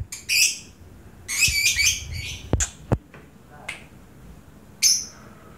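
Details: Lovebird in training at a temporary basecamp, singing sluggishly after a long time not hung out. Short harsh chirpy bursts and squawky trills come in clusters, with sharp clicks and snaps between them and quiet background.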